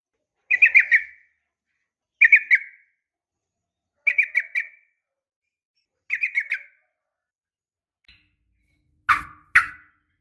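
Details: Female yellow-vented bulbul calling a male, used as a lure to get caged males singing. Short bubbly chattering phrases come about every two seconds, four in a row. Two louder, harsher bursts close the clip.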